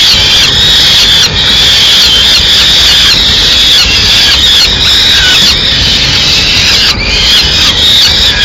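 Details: Peregrine falcon chicks, Madrid, calling insistently while the female delivers a small bird and leaves part of the prey for them to feed alone; dense overlapping shrill screeching, strained wails with brief breaks.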